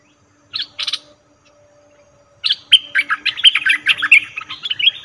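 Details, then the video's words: Cream-vented bulbul call used as a trapping lure: two short harsh bursts, a pause, then a rapid run of bubbly chirping notes between mid and high pitch, with a faint steady hum beneath. "Suara pikat merbah lekir"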